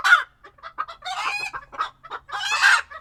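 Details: Flock of chickens chattering in a coop in Tokyo during February: scattered short clucks broken by two longer, harsh, rising squawks.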